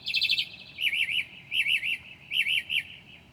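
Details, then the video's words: At 2 a.m. in July, a Northern mockingbird sings in mimicry: a quick trill, then wavering warbled phrases repeated roughly every three-quarters of a second. "HIGH QUALITY AUDIO of a Mocking bird at 2:00 A.M."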